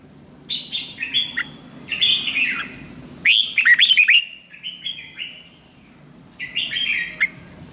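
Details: Red-whiskered bulbul, a decoy bird for song training, sings almost continuously: short whistled warbles and a quick burst of crisp chirped notes, then softer phrases and a final warble.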